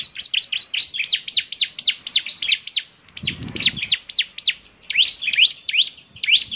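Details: Bar-winged prinia repeating high, curved, whip-like notes in quick succession, pausing briefly with a soft thump, then resuming the rapid sweeping series.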